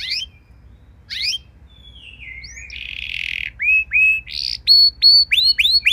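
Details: Canary song for teaching other canaries: two brief sweeps, a soft warbled passage, then clear rising whistled notes repeated about three per second.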